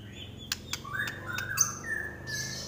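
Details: Trek Pastol white-rumped shama (murai batu) with a shrill 'nyelit' voice. Soft, level whistled notes are broken by several crisp clicks. A low background hum runs throughout.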